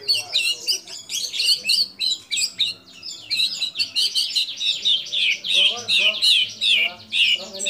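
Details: Energetic white-rumped shama song built from imitated calls of kapas tembak, cililin, lovebird and canary; a run of short, varied, harsh high bursts, about two per second, with lower chattering notes mixed in.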